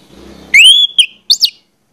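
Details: Orange-headed thrush, anis merah, pancingan lure phrase: a low murmur, then a long clear rising-then-level whistle, followed by two short high squeaky notes.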